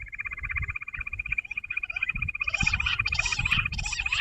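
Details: Trill of a jungle bush quail near a bird trap: fast, regular high whistled pulses, joined midway by louder scratchy chattering notes, over a faint low hum.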